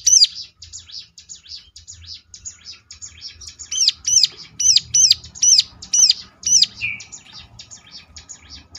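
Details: Ciblek (bar-winged prinia) calling as a lure so other ciblek reply: soft scratchy twitter first, then loud, piercing, hooked chirps repeated at a brisk uneven pace, ending with a short buzzy note and faint twitter.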